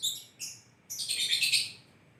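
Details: Lovebird giving loud chirping calls; three bursts of harsh, high, buzzy chirps, two short ones followed by a longer rasping run of noisy notes, with no other sounds.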